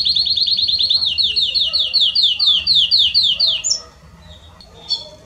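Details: A Belgian canary in 'estourado' singing, used to warm up a canary, delivers a long run of loud repeated notes that gradually slow and spread, then a short chirp before quieter soft sounds.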